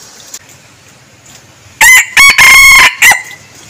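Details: Decoy red junglefowl crowing: one loud harmonic crow broken into four tight bursts lasting about a second and a half, after a quiet stretch with faint background hiss.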